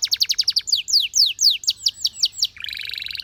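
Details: Belgian canary song opens with a fast trill, slows into a series of downward-slurred whistled notes, then breaks into a dense buzzy rattle.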